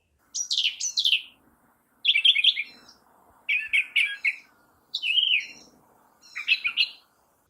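A Brown Thrasher sings rich, varied, high chirping phrases, each note pair given twice before switching to new pitches. A new phrase comes about every one and a half seconds.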